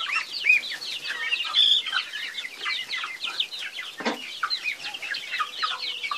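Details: Chickens producing a stream of high, down-slurred peeps repeated roughly once a second by overlapping birds, with a single lower cluck near the end.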